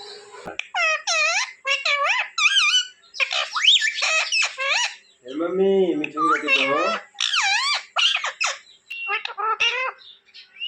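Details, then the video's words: Talking pet parrot (mitthu) chattering indoors: rapid series of curved, harmonic chirps and whistled notes, with a lower throaty speech-like stretch midway, almost continuous over ten seconds. "Talking parrot chirping sound"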